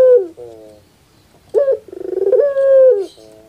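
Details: Puter pelung dove song used to provoke an idle dove into singing: a falling coo and a soft wavering note, a pause, then a sharp opening note, a quickening rolled trill and a long level coo.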